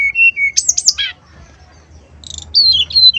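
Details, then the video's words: Lure song of a male brown-chested jungle flycatcher, sung in the fluting 'nyuling' manner to provoke rival males. Steady clear whistles are followed by a sharp, rising flourish, then a pause and a run of high wavering whistled notes. "TES SUARA SRDC JANTAN KALIAN.!! PANCINGAN SRDC SIKATANRIMBADADACOKLAT, SUARA SRDC, SRDCNYULING"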